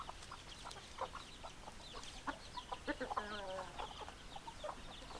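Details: Chickens clucking in quick bursts, with one longer drawn-out note in the middle, and small birds chirping thinly in the background.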